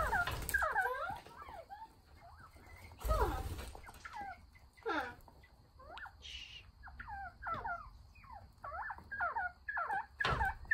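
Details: Several northern bobwhite quail calling to each other in a dense run of short, bending whistled notes, some rising and some falling, repeated irregularly, with a few louder bursts of background noise.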